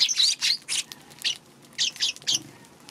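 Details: Eurasian tree sparrow recorded on 2 March: bright, harsh chirps in quick bursts, about seven notes spread over three seconds, each a short burst with a dip at its centre, against quiet background hiss.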